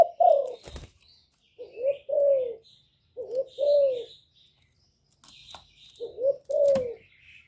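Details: Spotted dove song, recorded live for stimulating kept doves. Paired mellow coos, each followed by a longer falling note, repeat four times. Higher chirping from other birds and sharp clicks or taps are heard around them.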